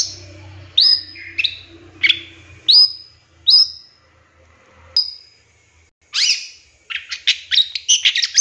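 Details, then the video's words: Long-tailed shrike in a lure recording with a mimicry-filled song: clear downslurred whistles a second apart, then a harsher note and a fast twittering burst, with a low hum early on. "Suara Cendet No #1❗Masteran Pancingan Cendet Isian Tembakan MEWAH"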